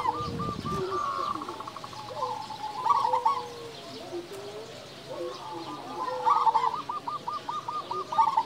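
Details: Loud local zebra dove song used as a lure and tutor for quiet doves: bursts of fast rolling coo notes, repeated chevron-like pulses, with a low buzzy sound at the start and other doves cooing behind.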